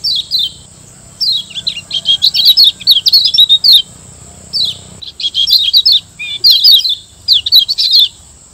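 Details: Lombok yellow white-eye kept in a cage, singing a training master: long, dense runs of fast high warbled twitters broken by short gaps and a few lone down-slurred chirps, accompanied by a steady high-pitched hum.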